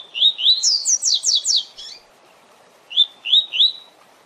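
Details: Captive-bird training song of the double-collared seedeater, tui tui zel zel style: rising whistles lead into a fast, loud series of high falling buzzy notes, then after a brief pause three more upslurred whistles.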